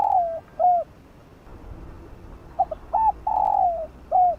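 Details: Spotted dove cooing in the field-voice style for training decoy birds. The tail of one phrase, a long falling coo and a hooked note, is followed by a complete phrase of quick notes, a long droning coo and a curved ending.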